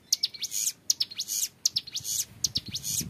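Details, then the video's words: Ngebren song of a young hill prinia, long and clear, meant for training other birds: dense high-pitched buzzy strokes and thin whistles in quick bursts, a faint rising whistle near the start. "MASTERAN CIBLEK GUNUNG MUDA GACOR NGEBREN PANJANG SUARA JERNIH"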